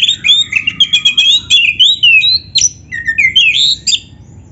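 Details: Kacer, the Oriental magpie-robin, in loud continuous song, played to get other magpie-robins to reply; fast series of sweet whistles, sliding phrases and sharp chips, about four notes a second.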